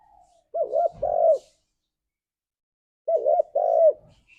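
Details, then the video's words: Spotted dove calling its companions: two separate phrases, each a short doubled coo followed by a longer mellow coo, low and hollow, with a pause of about two seconds between them. "Suara Burung Tekukur Memanggil Temannya"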